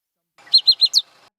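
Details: African Pied Wagtail along a Cameroon riverbank, giving four quick, high, bright chirps in under half a second, the last slightly higher and sharper, over faint background hiss.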